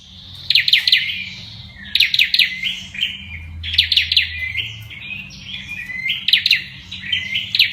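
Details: Olive-backed tailorbird (Orthotomus sepium), song.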